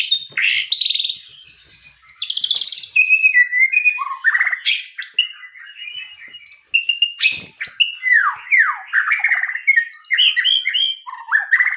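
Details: Extended white-rumped shama song of rich whistles, fast buzzy trills, sharp upsweeps and chattering notes in varied phrases, with a few clicks and brief quieter gaps.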